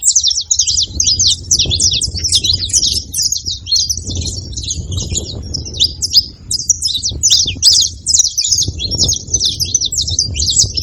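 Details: Saffron finches calling as a group, a lively high chorus of clipped chirps with brief dips in density, accompanied by swelling low rumbling noise in the background.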